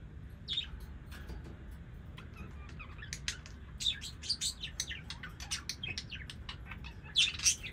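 A budgerigar chirps steadily in quick, scratchy bursts of high twittering notes.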